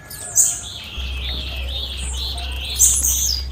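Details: Female blue-black grassquit calling: two thin, high chirps sliding downward, about two and a half seconds apart, over faint hiss and a steady low hum that starts partway through.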